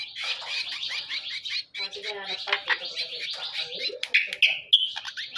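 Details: Hand-reared greater green leafbird master song: rapid buzzy trills sliding up and down, some lower warbles, then a few clear high whistled notes and sharp clicks toward the end.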